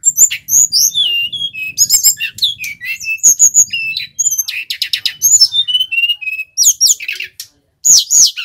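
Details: Male brown-chested jungle flycatcher from Bali singing vigorously, used as a trapping lure and master song for other birds: rapid varied whistles, slurred high notes and buzzy trills in quick succession, with brief pauses and faint low murmurs beneath.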